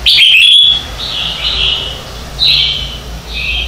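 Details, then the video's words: Red-whiskered bulbul morning song, played as a lure for training singing and competition: a loud, ringing whistled phrase at the start, then three quieter, slurred warbled phrases spaced about a second apart. "Luyện Chào Mào hót sáng hay nhất - To - Rõ - Vang | luyện giọng chào mào mới nhất 2019"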